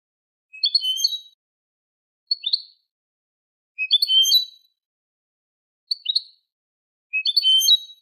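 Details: Goldfinch song in the Manolo style of Malaga, recorded as a tutor for goldfinch and hybrid chicks: five liquid twittering bursts spaced roughly every one and a half seconds, alternating richer tinkling phrases with short sharp notes, in a clean, quiet recording.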